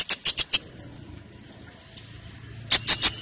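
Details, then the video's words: A hummingbird gives two quick bursts of four very high, thin, squeaky chips, separated by a two-second pause, over a faint low hum. "The best hummingbird sound"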